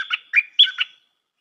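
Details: New decoy stripe-throated bulbul with a fine song style: four quick, slurred, warbling notes in one bright phrase lasting under a second, followed by silence.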